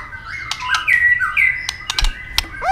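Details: White-rumped shama in second-season moult singing a fighting song to rouse aggression: rich fluted whistles overlapping in a steady stream, broken by dry tail-flick clicks, ending on a quick upward curl.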